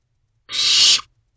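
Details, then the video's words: Barn owl nestling looking out of its box around 1:15 am in May 2023, calling for food from its parents; one rasping, breathy screech of roughly half a second, swelling slightly before stopping sharply. "Is Looking out the Door, Calling to Mom and Dad For Food"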